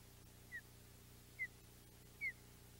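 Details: Pair of ospreys meeting in the morning at the Audubon Boathouse nest on 2 August 2021. Three short, thin, downslurred whistles come roughly a second apart over a steady low background hum.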